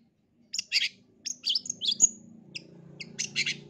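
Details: Long-tailed shrike song meant to coax a stressed, silent caged bird into singing: scratchy chirps and high squeaky notes in short clusters, with a faint low hum underneath.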